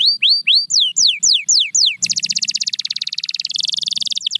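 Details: Song of a canary, used as a motivation sound for silent canaries. Rising hooked whistles give way to falling sweeps, then a dense buzzing trill that shifts higher near the end.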